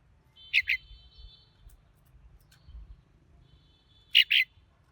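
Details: A red-whiskered bulbul gives a brisk two-note whistled phrase, pauses about three and a half seconds, then repeats the same high, clear pair; the background is otherwise quiet.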